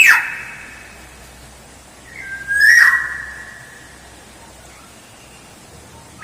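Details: Black-naped oriole lure song: a loud fluted whistle fading at the start, a long pause, then one rising whistled phrase with a rough nasal accent, followed by quiet.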